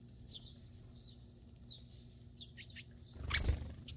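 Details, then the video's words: Sparrows on a rainy day near a woodpile that serves as their winter nest, giving short, high, thin chirps in loose irregular bursts, with steady low rumbling background noise and a louder rustling flutter near the end. "참새, sparrow, 비오는 날 참새영상"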